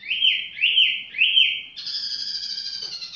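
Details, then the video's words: Tiểu mi bird singing casually, giving three loud, evenly spaced swooping whistles, followed by a steady, buzzy, tonal note held to the end. "chim tiểu mi chơi lai rai"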